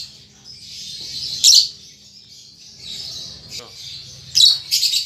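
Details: Baby lovebird, kept caged, learning ngetik and ngekek chattering. A continuous hissy high warble is broken by two loud, harsh chirp bursts, with a low steady hum underneath.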